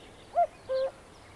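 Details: Common cuckoo heard in spring giving its familiar two-note 'cuck-oo', a short higher note and then a longer, lower one, against quiet background hiss.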